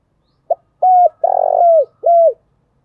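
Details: Spotted dove calling in the morning in thổ đặc style: one brief note, then a flat hoot, a drawn-out trembling coo easing downward, and a last drooping hoot. Clean recording with nothing else audible.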